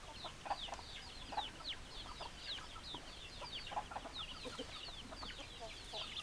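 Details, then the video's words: Chickens on a farm, hens clucking in a busy flock: many overlapping short clucks and squawks, several callers at once, steady chatter throughout with a few louder notes standing out. "Chicken Sounds Noises Hens Clucking Roosters Crowing"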